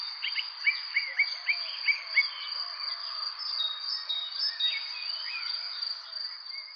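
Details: Bright, rapid bird chirps repeated in a fast run at the start, then softer scattered twitters, all above a constant shrill insect hum.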